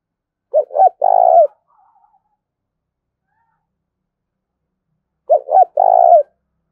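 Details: Decoy spotted dove cooing vigorously in the style known as gáy gọi, a calling coo. Two identical phrases about five seconds apart, each two quick hollow notes then a drawn-out purring coo. No other sounds.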